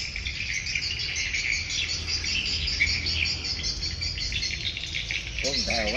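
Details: Evening birds calling together: a dense, unbroken mass of high twittering chirps and squeaks from many callers overlapping throughout, over a low rumbling background, with a brief wavering lower voice near the end.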